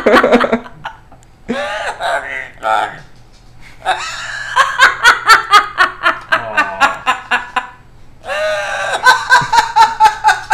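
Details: A pet female yellow-naped amazon talks in humanlike phrases, then laughs at her owner in rapid, rhythmic bursts of about four pulses a second, while a person chats nearby.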